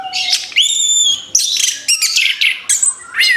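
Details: Orange-headed thrush singing after moulting, with dense bursts of high, sharp chirps and twittering, clear sustained whistled tones and rising slurs, broken by short pauses.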